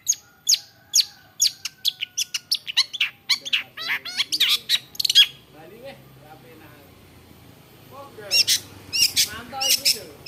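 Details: Long-tailed shrike singing actively, a bird able to imitate many other birds' voices: a rapid run of sharp high chirps, a few seconds of near silence with faint low notes, then another burst of bright chirping.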